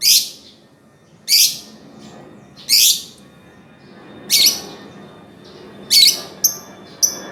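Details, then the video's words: Lovebird chirping: loud, sharp, high-pitched calls in short bursts roughly every one and a half seconds, with a quick double note near the end, over faint low background hiss. "Kicauan Burung Love Berd terkeren !!!"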